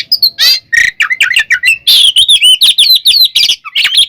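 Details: Oriental magpie-robin in loud ngeplong fighting song for provoking other birds: fast, continuous medley of whistles, buzzy notes and chirps, densely packed with sliding, warbling phrases.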